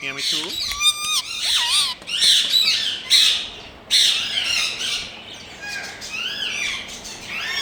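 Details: Indian rose-ringed parakeet kept as a pet, starting with quick descending notes and a level whistle, then bursts of loud, harsh, grating screeches of irregular length, roughly once a second.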